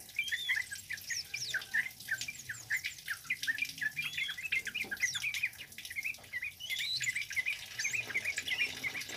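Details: Orange-headed thrush, a male singing loudly in the cabe-cabean bunga api style used to lure and tutor birds; rapid chattering phrases of sharp high chirps and slurred whistles pour out continuously, barely breaking.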